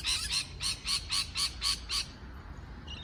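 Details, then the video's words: A parrot chirping eight times in a steady, evenly spaced series of raspy, broad squawks, about four per second, then falling quiet. "美丽的鹦鹉鸣叫beautiful parrot chirping sound call"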